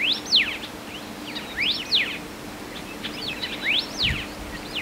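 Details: Big Island ʻElepaio, subspecies ridgwayi, in Hawaiʻi. Bright whistles rise and fall steeply in short paired strokes, repeated in several phrases. Faint scattered chirps lie between them, and a steady low hum runs beneath.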